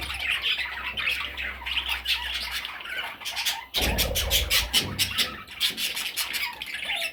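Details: High, scratchy squawking from parrot chicks runs throughout, at first as a soft continuous chatter, then as sharp repeated calls mixed with loud clicking knocks in the second half.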